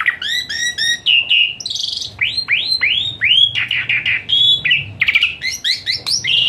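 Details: Asian pied starling in full varied song, played as therapy to make a reluctant starling sing: quick stacked chirps, then a run of arched whistled notes and short buzzy bursts.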